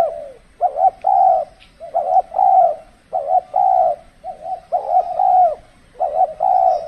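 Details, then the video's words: Spotted dove during decoy trapping in an extreme cold season, when the birds are less bold: a continuous series of throaty coo phrases, with short burred notes followed by longer hollow hoots, repeated about every second. "burung tekukur kalau musim dingin kurang bernyali termasuk pikat pun kurang agresif"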